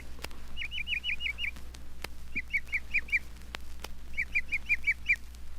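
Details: Northern Mockingbird, a mimic of other birds and surrounding sounds and the state bird of Florida, heard singing at night there: three bursts of five or six quick, repeated looping chirps, over a steady low hum and faint clicks.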